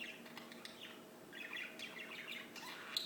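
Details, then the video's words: Birds singing in quick twittering bursts of high chirps, some phrases sliding downward, over a faint constant low hum. "Just singing birds"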